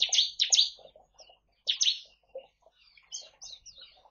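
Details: Bar-winged prinia kept in an aviary (colony cage) in East Kalimantan alongside white-eyes and finches, giving loud, harsh, buzzy bursts in quick succession, then softer, thinner chirping notes; recorded as a lure for other birds.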